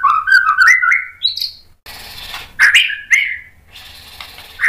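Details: Provoking song of a white-rumped shama: a rising sequence of quick whistles climbing in pitch, followed by a few loud slurred notes over a faint hissing background.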